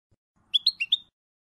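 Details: European goldfinch, from a tutoring recording for teaching young birds: four quick bright chirps, slightly rising and falling, within about half a second, clean background.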